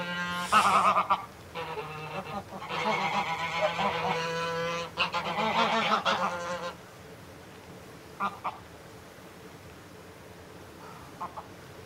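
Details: Threatening adult greylag goose at close range: loud cackling honks give way to a long, rough, breathy hiss lasting several seconds, then quiet with a few faint honks later on.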